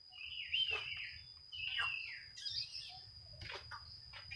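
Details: Oriental magpie-robin song used to seek rivals and provoke quiet birds into singing: faint, distant whistled phrases with downslurred notes repeated about every second, over a low background hum.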